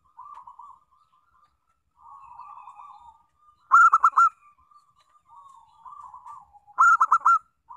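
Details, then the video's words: Zebra dove song, local type, played as a lure so other doves will sing: soft purring trills alternate with loud clusters of four staccato bubbling coos, roughly every three seconds. "Pancingan Perkutut Lokal"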